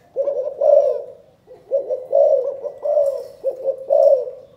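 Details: Spotted dove of Can Tho, Vietnam, giving the 'chụp chụp ô' calling coo: steady, low, hollow hoots in a bubbling series with one short pause.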